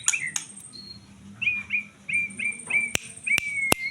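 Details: White-rumped shama song: a string of short upslurred whistles repeated about every third of a second, broken by sharp dry clicks, with faint low hum behind.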